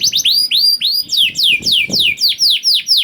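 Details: Canary song used to set other canaries singing: loud arched and falling whistled notes repeated about four per second, clear and steady.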